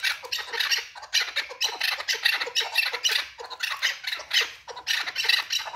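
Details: Chukar partridge, or keklik, calling: harsh, rasping chattering bursts repeated rapidly, roughly twice a second, in a loud unbroken series.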